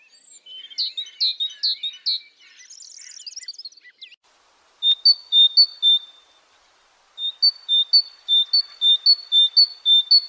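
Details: Tit with loud, bright repeated phrases, a brief buzzy trill, silence, then clear two-note whistles repeated evenly about twice a second.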